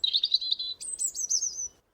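A European Robin sings one short, high verse: a warbling lower phrase, then a jump to thin, higher trickling notes, under two seconds long.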